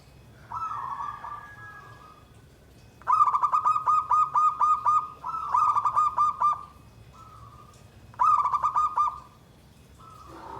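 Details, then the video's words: Zebra dove song: three loud bursts of rapid, pulsed, low cooing notes, each about a second long, joined by steadier drawn-out coos between them, over a quiet background with faint low hum. "SUARA PERKUTUT"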